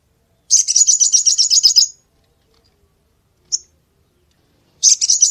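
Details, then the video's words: Crested jay, described as an active, lively singer, giving dense, harsh, high-pitched rattling bursts of about one and a half seconds, with a single short sharp note between bursts and otherwise silence. "TEMBAKAN TAJAM SOGON GACOR"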